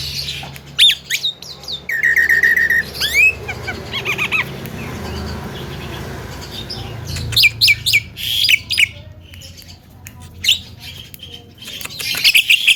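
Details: Javan myna that can talk, played to anger other mynas: scattered sharp squawks, a buzzy whistled phrase, a stretch of soft murmuring, then clusters of harsh high notes and chirps toward the end.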